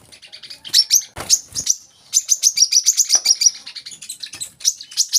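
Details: Olive-backed sunbird (kolibri kelapa), a tutor recording meant to make young birds sing often: rapid high, thin chirps in a fast run, interrupted by a few sharp clicks, then more scattered high notes.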